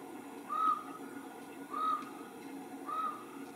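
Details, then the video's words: A strange-sounding common raven calls from trees across a marsh on a foggy day, giving three short, hollow, bell-like notes about a second apart over a steady background hiss, at a distance. "Raven Sound"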